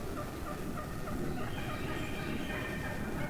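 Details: Wild turkey hens in a large flock at the end of deer season, talking very aggressively to one another while roosted before flying down: short, raspy, overlapping notes over a steady low rumble.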